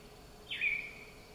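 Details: A displaying Vogelkop superb bird-of-paradise in Indonesia gives one short, high call: a sharp downward slur, then a thin, slightly falling note held briefly. Only faint background hiss.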